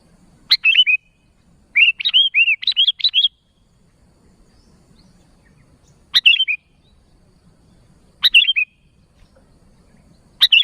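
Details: Lively sooty-headed bulbul calling to others: sharp bubbly phrases, one longer chattering run near the start, then single short phrases every two to four seconds over quiet low rumble.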